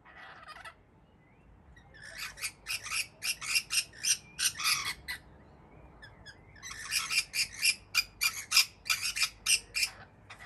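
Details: Wild rainbow lorikeets visiting a balcony in Melbourne, Australia, in 2024, noisy and bickering: two bursts of rapid, harsh, screechy squawks repeated several times a second, separated by a short quiet gap.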